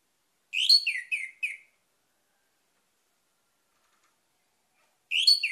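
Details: Orange-headed thrush song, played as a lure to draw other birds into singing: a brisk phrase of four clear, slurred whistled notes falling in quick succession, a long silence, then a new phrase starting at the end. No other sounds.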